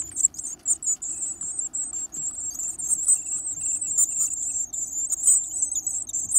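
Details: Growing Varied tit chicks, full of appetite, feeding on large insects; an unbroken chorus of piercing high-pitched squeals runs throughout, rising and falling in rapid uneven pulses.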